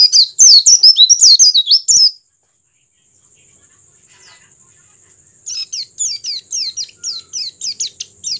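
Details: Oriental white-eye song meant to prompt other white-eyes to join in: a burst of fast, high twittering notes, a silent gap, then a run of quick sharp downslurred chirps over a faint constant high tone.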